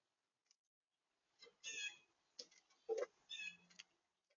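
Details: Blue jay giving a few harsh, raspy, broadband calls in short bursts about a second apart, with a lower knocking sound between them.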